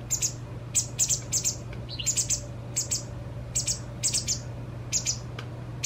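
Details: Begging fledgling white wagtail during feeding by its parent, two days before independence: short, very high chirps in pairs and triplets at irregular spacing, a low hum running underneath.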